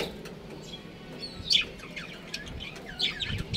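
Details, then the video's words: Budgerigar breeding pair giving scattered, high, bright chirps and short warbles, with two sharper notes standing out over a low, steady background hum. "Adorable Budgies Chirping Sounds"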